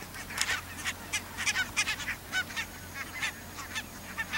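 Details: Pink-footed Geese and Brant Geese near the Borreby bogs, on very low land with much water. Many birds give overlapping short, nasal honks in quick, uneven bursts, some louder and closer, over a steady low background hiss.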